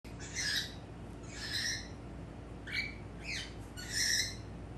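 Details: Male normal-grey pet cockatiel calling at a mirror indoors: five harsh, buzzy squawks spaced about a second apart, each with layered overtones, over a steady low room hum.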